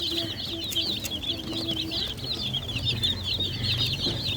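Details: Baby chicks peep continuously in a busy, high-pitched chorus of short wavering chirps, with a soft low rumble in the background.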